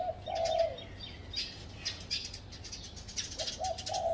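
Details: Spotted dove sitting in a tree at a home: one long soft coo at the start, then a stuttering phrase of short notes rising into a sustained coo near the end. Busy high chirping of other birds between the phrases.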